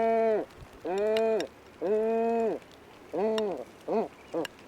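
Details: Great Cormorant (Phalacrocorax carbo), recorded in the wild, giving five nasal, moaning calls that rise and fall, roughly one a second; the first three are drawn out, the last two short.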